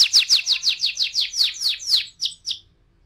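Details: Canary song: a run of loud, quick downslurred whistled notes roughly six per second, ending with two separate softer notes and then quiet.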